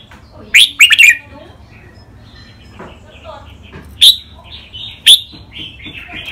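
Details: Caged red-whiskered bulbul from Thai song training, styles 'rik', 'bernl', 'lak wai', 'mae bot', 'nap dok': a loud triple whistled phrase, soft chatter, then two single sharp notes about a second apart with warbling between.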